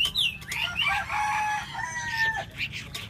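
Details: Hwamei song of clear, loud whistles: swooping slides, then long drawn-out notes held level, over a low background rumble.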